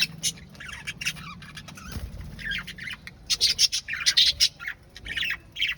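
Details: Singing parrot giving scattered rasping chirps and squawks that grow busier and louder in the second half, with sharp clicky notes and a low thump near the middle.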